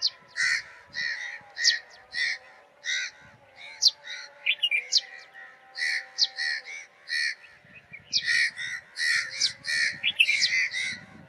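Sparrows give harsh, clipped chirps, several a second in uneven bursts, with a steady low hum underneath.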